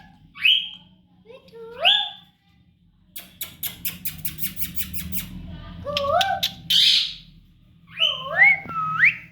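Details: Talking baby pet parrot indoors uttering upward-sweeping whistled syllables in pairs, a rapid burst of clicking pulses, then more rising whistles and a harsh squawk, with faint background hum.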